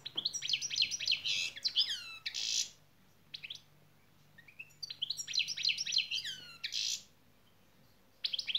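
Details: Trained European goldfinch performing şak şak song: two bursts of bright, high twittering phrases mixing buzzy trills and quick downslurred whistles, separated by a short quiet gap, with a faint steady hum behind.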